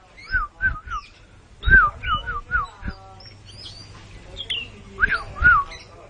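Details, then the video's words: Oriental magpie-robin singing mbagong mbesi while puffed up like a balloon: short runs of whistled downslurred notes, a quieter middle stretch with scattered high chips and a low hum, then two louder sweeping whistles. "Burung kacer mbagong mbesi jadi balon"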